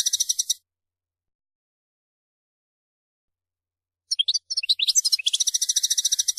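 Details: European goldfinch song: a short buzzy trill, a long silence of about three and a half seconds, then scattered high twitters building back into a fast, sustained buzzing rattle.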